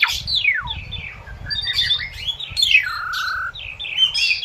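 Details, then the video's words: Song of an Asian pied starling meant for teaching captive birds: a steep falling whistle opens a busy medley of squeaky chirps, wavering notes and a long level whistle, all delivered without real pause. "SUARA BURUNG JALAK SUREN GACOR"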